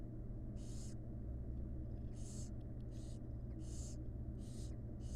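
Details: Five rough, snoring hisses from wild barn owl chicks begging while the mother feeds them inside a monitored nest box, spaced under a second apart, with a droning low hum throughout.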